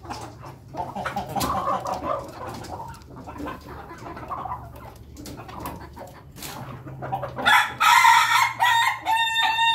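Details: A flock of Ayam Ketawa chickens eating in a coop: soft overlapping clucks and feeding clatter, rising near the end into a loud, harsh cackling call with a steady hum beneath.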